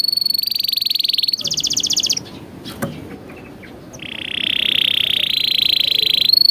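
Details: Tutor song for young canaries, in a luxurious phrasing style: a rapid high trill, then a shorter buzzy rattle, a pause with a faint click, and a long, dense, rolling trill.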